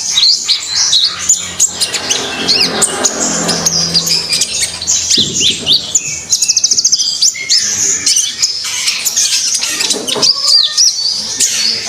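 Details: Common iora in full gacor song: dense, rapid stream of high whistles, trills and chirps, some slurred downward, with sharp clicking notes scattered throughout and a brief rattling burst midway.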